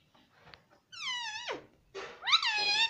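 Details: Pet Indian ringneck parrot voices two loud harmonic calls indoors. The first slides downward, the second rises sharply and then holds steady.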